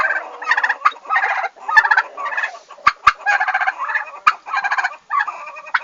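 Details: Newly arrived turkeys at a farm on 11 August 2015, gobbling almost continuously in overlapping rattling bursts, several birds calling together, with a few sharp clicks or knocks in between.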